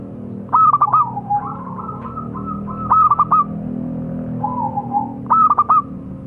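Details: Perkutut lokal, a zebra dove, singing: rapid clusters of bright bubbling notes with softer cooing between, repeated about every two and a half seconds, over a steady low droning hum.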